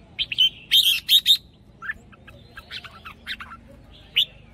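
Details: Caged red-whiskered bulbul used as a trapping lure. It delivers a lively burst of rich whistled notes, then scattered short chips and a final sharp upslurred whistle. A faint low hum sits underneath.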